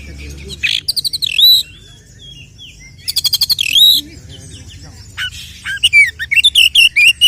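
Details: Oriental magpie-robin male giving a fighting song used as a lure to provoke other males: bursts of rapid ticking rattles alternating with loud twisting whistled phrases and fast chirped runs, over low background music.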